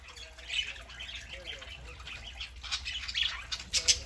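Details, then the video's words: Several pet budgerigars on a Saturday morning, one a three-month-old young bird, chattering in overlapping squeaky warbles and short high chirps, growing busier toward the end. "Parakeets Saturday morning"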